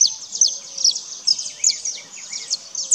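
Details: Brief run of bright, sharp saffron finch chirps repeated about twice a second while the birds forage on the ground for seeds and insects, over a soft hiss of background noise.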